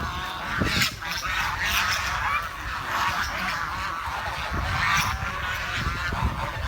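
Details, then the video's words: Village swans calling: overlapping nasal, harmonic honking notes, several at once, with a steady low rumble of background noise underneath. "The Chirping Sound of The Village Swan"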